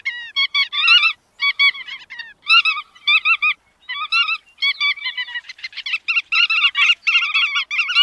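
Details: Bar-tailed godwit calls: nasal, slightly downslurred notes in quick clusters of two to four, separated by brief gaps, becoming a denser overlapping chatter toward the end.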